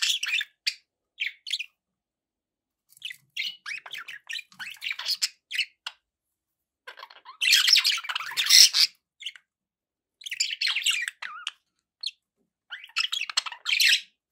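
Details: Pet budgies chattering and squawking: rapid bursts of raspy, warbled notes in groups, a loud harsh squawking passage in the middle, then more chattering bursts.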